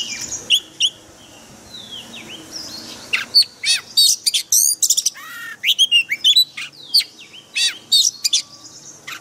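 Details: Forest-style white-rumped shama song, played daily to train caged birds: soft slurred whistles at first, then a dense run of loud sharp notes, down-slurs and warbled phrases, with barely a pause.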